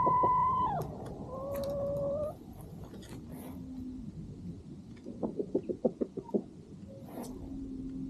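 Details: Farm rooster and chickens at sunset while a dog eats: a sustained tonal call tails off, followed by a lower held note, a quiet pause, then a quick burst of short clucks and another drawn-out note.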